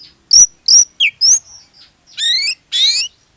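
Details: Lure song of an Oriental magpie-robin in gacor mode, meant to set off other magpie-robins: sharp rising whistles followed by two harsh, buzzy, rasping notes.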